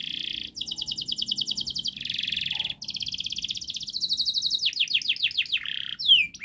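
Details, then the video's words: Long, tightly packed canary gacor song used to train young birds to sing: one fast high trill after another, buzzy rolls alternating with clipped repeated notes, ending in descending sweeps and a sharp rising whistle. "Kenari Gacor Panjang Speed Rapat Untuk Pancingan kenari Paud Agar Cepat Gacor"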